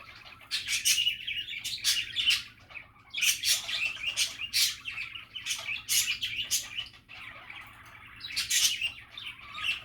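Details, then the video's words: Budgies chattering happily, squeaky warbles and clicking chirps in uneven bursts, with a short quiet gap near the middle. "Happy and relaxing budgie chatter"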